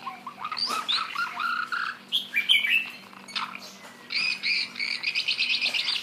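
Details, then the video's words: Shama singing a row of rising whistled notes, then squeaky twisting phrases, finishing with a fast rattling trill of repeated high notes; a low hum sits in the background. "Shama bird"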